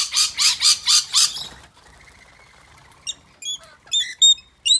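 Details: Rainbow Lorikeets and Scaly-breasted Lorikeets gathered at an afternoon feed: five rapid, rasping squawks in quick succession, then a quieter pause followed by sharp, high, metallic chips and short squeaks.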